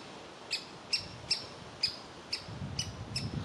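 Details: Nestling woodpecker in its tree cavity calling to be fed, its parents urging it out; seven brief, high, clipped calls about every half second, with a soft low rumble near the end.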